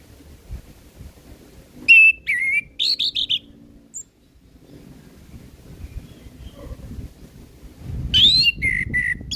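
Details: Singing orange-headed thrush, recorded as tutor material for untrained birds, gives slurred whistled notes and buzzy fragments near the start. After a quiet gap with soft background rumble, it resumes with sweet warbled phrases.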